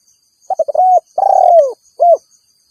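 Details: Spotted dove giving its rival-calling coo, used to attract wild doves. A single phrase: a few quick broken notes, a sustained coo, a long downward-gliding coo, and one short coo to finish, with soft insect hum.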